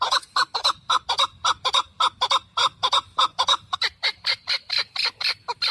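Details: A male partridge, in a recording intended for hunters, gives a series of harsh, clucking notes at about two per second. Toward the end the notes shift to thinner, higher calls.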